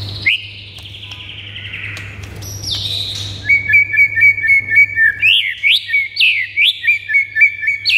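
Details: White-rumped shama song for getting other birds excited to sing: sliding high whistles, then a run of rapid repeated upswept notes roughly four per second, with a low hum in the background.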